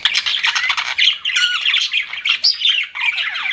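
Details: Pet parakeets chirp in a busy, grating chatter, rapid buzzy notes mixed with a few sharp high whistled squeaks.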